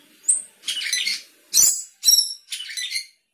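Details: Sooty-headed bulbul singing with isian fill-ins: a thin high whistle followed by four dense, scratchy, chattering phrases of mixed high notes, each about half a second long.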